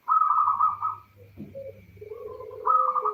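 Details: Female zebra dove, called perkutut locally, calling a male as a lure to start males singing; a rolling trilled coo, a quieter lower middle section, then the trill returns.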